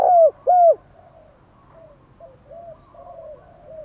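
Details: Spotted dove cooing to incite wild doves: two loud, rounded, falling coos at the outset, then quieter scattered coos from other doves farther off.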